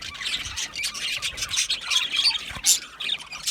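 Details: Content budgerigars chatter together in rapid, irregular high chirps and short squeaks, many voices overlapping with brief louder peaks.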